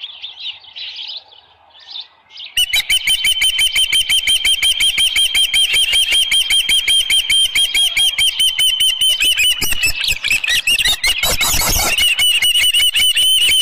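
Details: Osprey at a nest at Dunrovin Ranch on 24 July 2018, about 6:52 in the morning, with a headless fish: softer chirps, a short pause, then a long fast run of loud, sharp, whistled chirps, each arched in pitch and repeated several times per second.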